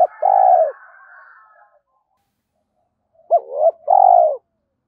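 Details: Spotted dove decoy cooing, used as a lure to train young captive doves to coo: a short low hoot, then a longer steady coo, a pause of about two seconds, and the same two-part phrase again, with nothing else heard.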